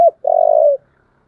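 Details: Single long, steady, vibrating coo from a spotted dove of the 'giọng thổ' voice type, fighting call, preceded by the tail of a short note, in clean quiet surroundings.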